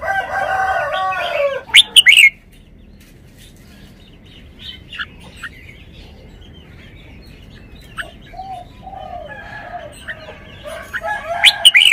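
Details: Red-whiskered bulbul in a cage sings its song style: a rich, loud warbled opening with an emphatic double note, a quieter stretch of sparse chirps, then more warbling that ends in loud, sharp accents.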